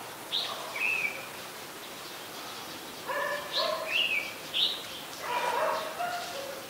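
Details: An adult red-whiskered bulbul in Ubon Ratchathani, Thailand, 3 January 2021, sings rich, slightly nasal warbled phrases with bright upper notes, in bursts across the clip, over faint hiss.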